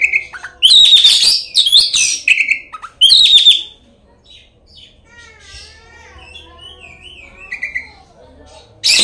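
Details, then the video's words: Oriental magpie-robin song used as a lure to provoke other magpie-robins into singing and fighting; loud, very high harsh buzzy bursts and clear whistles in the first four seconds, then faint wavering whistled phrases from a quieter bird. "kacer gacor full isian kacer gacor buka ekor pancingan kacer bikin lawan dijamin ampuh."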